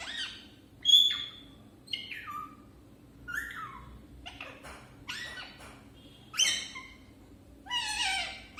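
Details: A parrot's first attempts at talking, heard indoors: scattered, hoarse, voice-like syllables, some sliding down in pitch, separated by short pauses in a quiet room.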